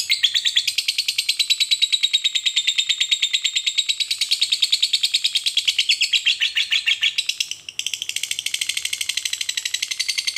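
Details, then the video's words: Long, rapid chatter of a fighter lovebird, used to provoke other lovebirds to sing: shrill, grating pulses run on without a break for about ten seconds, with one brief stumble partway through before resuming. "pancingan Lovebird fighter ngekek panjang, jitu memancing emosi lovebirds, lawan jadi cepat bunyi"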